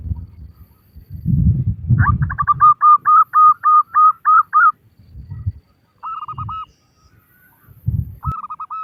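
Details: Local female zebra dove calling to males: low thumping knocks open, then a burst of quick whistled notes runs into about eight repeated short, level coos, followed by two brief single phrases separated by more dull thuds.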